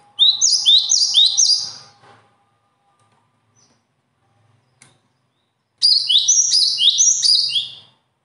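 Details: Shrill bird song comes as two bursts of three to four rapid repeated phrases, with about four seconds of near silence between them.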